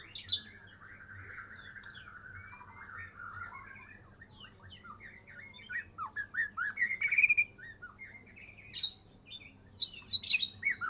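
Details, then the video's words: White-rumped shama, Medan variety, caged pet raised from a fledgling, after its first moult: soft, rambling warbled phrases and twittering mimicry build into louder chattering bursts near the end, with steady low hum behind. "Murai medan gacoor full isian"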